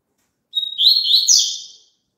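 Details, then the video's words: Double-collared seedeater song intended for kept birds to sing along with: brief flat whistle leading straight into a lively, twittering cascade of high notes that quickly fades, with no background noise. "COLOCA ESSE CANTO PARA SEU PAPACAPIM CANTAR JUNTO"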